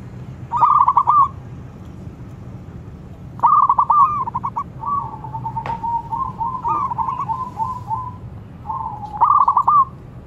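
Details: Zebra dove, a loud call set off with other doves joining in: bursts of rapid, bubbling, rolling coos followed by long, trilled cooing phrases, with one sharp click, over a steady low background rumble.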